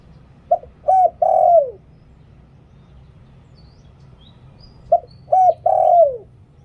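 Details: Spotted dove giving the 'liu tan' cooing style used as a decoy call to lure wild doves: low three-part phrase of two short coos and a longer falling coo, repeated twice about four seconds apart, otherwise quiet.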